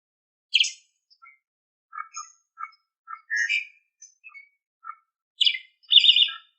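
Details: Asian pied starling song from a tutor recording for training pet songbirds: scattered short notes, harsh raspy bursts at start and end with brief low whistles between, on a silent background.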